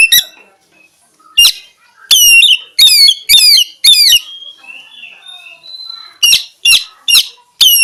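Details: Oriental magpie-robin, kacer, a champion songbird, singing a fast run of loud whistled notes with falling strokes, a soft drawn-out rising whistle in the middle, then another series of sharp ringing notes.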